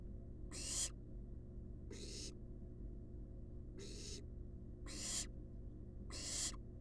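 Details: Resting wild barn owl nestlings in a monitored nest box produce five broad, breathy hisses at uneven intervals over about seven seconds, some louder than others, above a persistent low-pitched hum.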